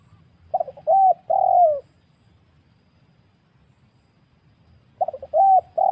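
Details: Lure recording of a wild spotted dove: a soft stutter, a short coo and a long descending croon, then a pause of about three seconds before the same phrase starts again. The surroundings are quiet.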